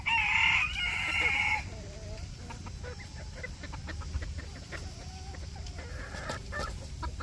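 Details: White rooster gives one loud, ringing crow lasting about a second and a half, followed by soft clucks and faint background noise.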